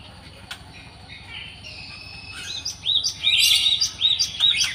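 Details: Wild Java sparrow: faint scattered chirps at first, then from about three seconds a loud series of sharp, hooked, high notes repeated in quick succession, about two or three per second.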